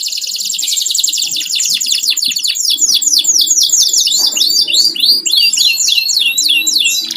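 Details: Home-kept canary in full song: dense high trills giving way to a long series of looping, rolling whistled notes, steady and loud throughout, with a soft low background murmur.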